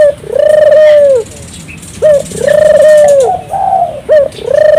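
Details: Turtle dove in 'gacor' song, used to get local doves singing. Three long, steady low coos, each drooping at the end, broken by short clipped notes, roughly every two seconds.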